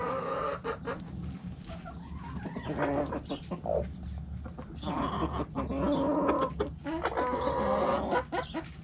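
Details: Backyard coop hens clucking: continuous, overlapping harmonic clucks and squawks from a flock, rising and falling in loudness, with a low hum underneath.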